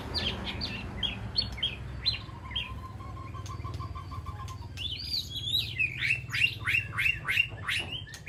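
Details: White-rumped shama in a peaceful aviary, calling to its flock: rich, varied whistled notes in short bursts, a soft steady ticking series midway, then louder rapid sweeping whistles repeated about every third of a second, over a low background hum.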